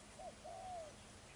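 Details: A decoy spotted dove used for ground trapping in Chí Linh, Hải Dương, Vietnam, gives a short soft coo, then a longer, low, slightly rising and falling coo. Faint background hiss.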